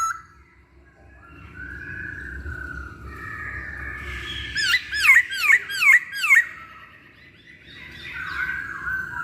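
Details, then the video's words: Masked laughingthrush singing, played to draw other birds into song. Quiet drawn-out whistles lead into five loud, looping, down-and-up whistled notes in a rapid burst, then a soft trailing whistle. "Pancingan Poksay Hongkong"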